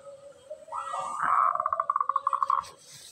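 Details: Zebra dove of local stock, singing clearly and used as a lure: a rising coo leading into an even run of about fifteen quick pulsed notes, with faint background sounds.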